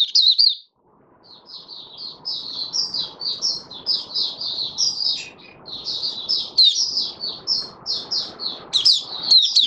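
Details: Open singing from a caged oriental white-eye on day five after its monthly worming, 20 January 2022: a short high trill, a gap, then long rambling runs of shrill, fast-slurred twitters over soft background hiss.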